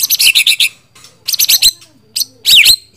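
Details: White-rumped shama delivering short phrases of fast, loud, sharp notes, the last phrase ending in a swooping whistled slur, with near silence between phrases.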